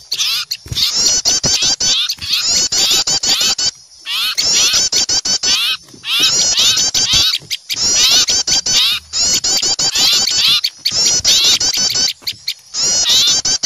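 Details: Small birds loudly scolding in fright at an owl, a lure recording; long bouts of dense, shrill overlapping chatter return roughly every two seconds, with crisp clicks and brief silences between bouts.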